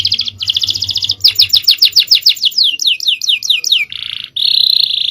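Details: Male canary performing a champion 'cengkok jawara' song: pulsing trills, then a run of quick descending whistles, ending in harsh buzzy phrases, with a faint low hum underneath.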